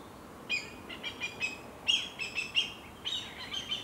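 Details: Adult black kite defending its nest from a jay in the Natural Reserve of Decima Malafede, home to about 11 breeding pairs; clear, high, tonal calls with harmonics given in short bursts of two to four notes, over a faint hiss.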